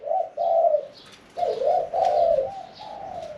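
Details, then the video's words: Spotted dove kept in a cage, singing a middle-pitched 'khan yon 1 kuk' song; quieter, drawn-out coos in four or five rolling phrases with a slight rustly background. "ฟังเสียงขันนกเขาใหญ่ { ขันโยน 1 กุก} ,{นกเสียงกลาง}"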